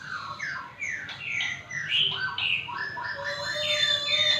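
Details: Magpie-robin, unbothered by small children playing close by, pours out a dense, continuous run of varied whistles and chirps, with rising and falling slurs and rapid changes of pitch throughout.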